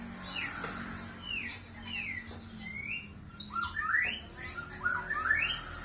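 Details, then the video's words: Canary singing a string of slurred whistled notes that sweep up and down, some short and rising, others falling, delivered irregularly and growing louder toward the end, over faint low background noise. "kenari gacor dor"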